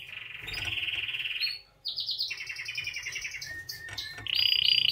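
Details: A white canary gives a varied song: a steady rolling trill, a brief gap, then quick chattering phrases and a bright high trill at the end, with low background hum.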